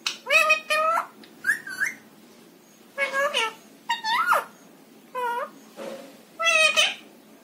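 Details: Rose-ringed parakeet, a talking pet, repeating learned phrases like 'I love you' in a small room. Bright, harmonic speech-like syllables rise and bend, delivered in six or seven separate bursts.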